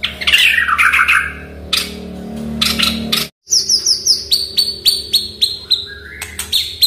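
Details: Oriental magpie-robin (murai batu) singing, used to coax a quiet bird into song: a varied string of sharp whistled notes, some sweeping down from high pitch, delivered in quick successive bursts after a brief break, over steady low hum.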